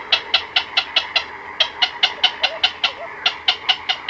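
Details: Nighttime black-crowned night heron colony with chicks and adults, close up: quick runs of sharp ticking notes in two or three bursts, with faint squawks and colony noise behind.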